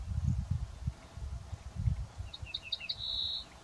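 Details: Ortolan bunting, a scarce bird of the countryside, singing from walnut trees where several males sang; after two seconds a brief phrase of alternating clear high and slightly lower notes ends in a sustained whistled note, over strong low rumbling noise.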